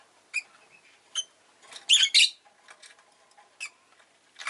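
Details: Rosy-faced lovebird indoors with short sharp chirps, a loud double burst of raspy chattering in the middle, then more single chirps and light clicks.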